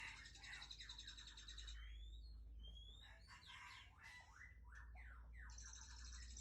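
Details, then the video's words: White-rumped shama from Aceh, a breeding female, singing a rapid, varied run of sweet whistles, slurred notes and buzzy trills mostly high in pitch, over a steady low electrical hum. "Murai Aceh"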